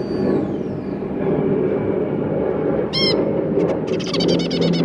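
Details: A family of zebra finches, two parents with three juvenile babies, 2 August 2022: one strong nasal call, then a rapid sequence of short buzzy stacked notes, over low rumbling background noise.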